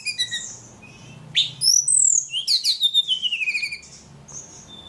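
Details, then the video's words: Energetic ledekan bird song with thin high whistles, a loud sweeping phrase and a long series of quick chirps falling gradually in pitch, trailing into soft notes over a low hum. "Burung ledekan paling gacor"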